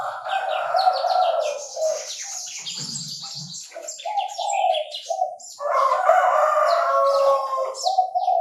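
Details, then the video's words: Chinese francolin crowing in Bình Thuận, Vietnam, in a bird-trapping setting. Harsh, buzzy phrases recur among lower stuttering notes. Many high twittering chirps from other birds fill the background. "Tiếng chim ĐA ĐA gáy"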